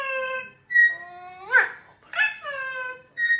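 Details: A talking parrot mimicking human speech, with high, clear word-like phrases that rise and bend in pitch, short gaps between utterances, in a quiet indoor setting.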